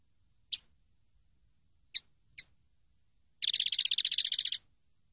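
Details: Training-CD recording of a common linnet: three sharp isolated chips, then a fast, even, buzzy trill of rapidly repeated notes lasting about a second.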